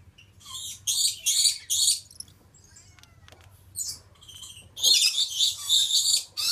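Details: Male Stella's lorikeet of subspecies goliathina: bursts of loud, harsh, high screeches in rapid runs, a quieter pause with faint clicks, then another screeching series.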